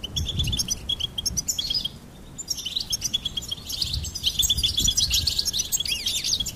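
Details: Goldfinch song of rapid, high, jingling twitters and short buzzy notes, pausing briefly, then resuming in a fuller, continuous warble over soft low background noise.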